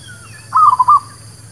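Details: Single rolling coo of a zebra dove, the local perkutut, meant to lure birds for trapping; a brief bubbling phrase of three or four quick notes with faint higher chirps of other birds behind and a low hum.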